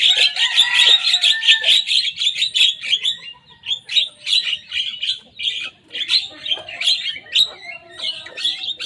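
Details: Busy, buzzy chattering from a young Javan myna copying the songs of rival birds, with some lower whistled notes woven through.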